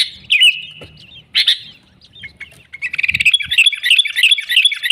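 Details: Sooty-headed bulbul song, a lure to trap wild bulbuls; a couple of harsh buzzy notes and a thin whistle, then a fast, continuous chatter of high bubbly notes, with a few soft low knocks.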